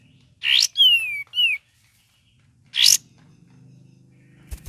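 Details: Cream-vented bulbul singing in ngeriwik variation: sharp chips alternate with a long descending whistle and a short upturned note. Faint low hum underneath.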